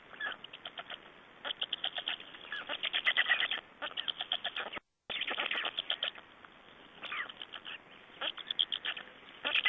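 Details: At the nest in Estonia on 3 June 2011, black storks trade places and feed. Quick, scratchy, stuttering note trains fill the recording, broken by one short silent gap near five seconds.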